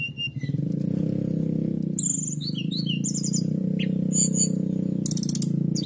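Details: Canary song used to provoke other birds into singing: fast high trills and clipped chirp series in quick, varied bursts over a loud continuous low droning hum.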